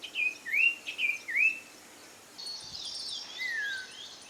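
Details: Common iora calls: four clear whistled notes, each swooping up and then level, given about twice a second, then a burst of higher jumbled twittering with a falling slurred whistle near the end.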